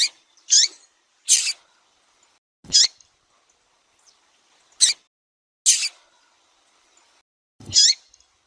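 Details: Female double-collared seedeater from Brazil, described as in breeding condition, calling and peeping to attract a male. Six short, sharp, high squeaky notes come at irregular gaps of roughly one to two seconds in a quiet background.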